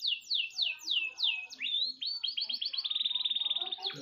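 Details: Canary singing hard as a model for training other birds, a few slow descending whistles followed by rising chirps that speed into a fast, even rolling trill.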